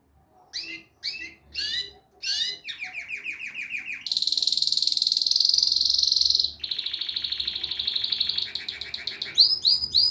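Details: Canary song opening with spaced single chirps, moving to quick rolling notes, then long loud high buzzy trills and a final burst of sharp chirps.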